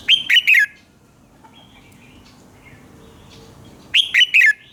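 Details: Red-whiskered bulbul in morning song, recorded to coach other bulbuls: two bright phrases of three quick, downslurred whistles, separated by a pause with faint twitters behind.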